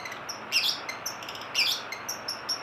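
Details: Long-tailed shrike giving short, high thin notes interspersed with two loud, harsh, scratchy bursts about a second apart, over a steady low hiss.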